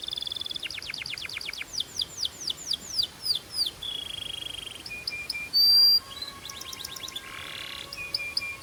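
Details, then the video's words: Song of a Belgian canary, used to warm up canaries and fire up females: a quick high trill leading into evenly spaced descending slurs, a buzzy tone, sharp high whistles, and a closing rattling trill with a brief noisy burst. "Corner to Warm Up Belgian Canaries and Fire Up Females"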